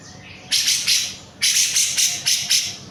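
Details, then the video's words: Cucak jenggot in full, lively song for songbird training: a loud, hoarse, scratchy burst, then a quick run of five harsh, high chattering notes in close succession. "CUCAK JENGGOT GACOR. . .!!"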